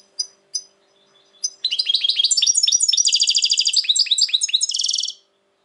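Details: European goldfinch, reportedly very worked up these days, 2020: two or three single chips, then a fast, continuous stream of liquid twittering about three and a half seconds long, ending in a buzzy trill.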